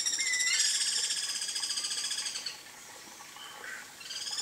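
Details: Wild, free-living guira cuckoo in nature giving a loud, harsh, rapidly pulsed rattling call that fades after two and a half seconds, then a brief softer note and a faint return.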